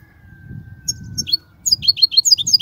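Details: European goldfinch song used for teaching young goldfinches: after a few isolated high chips, a quick string of repeated tinkling notes bounces along in even steps, with a thin steady tone in the background.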